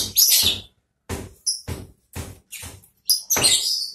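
A long-tailed shrike sings in harsh, scratchy bursts about every half second, with a few thin high whistles mixed in.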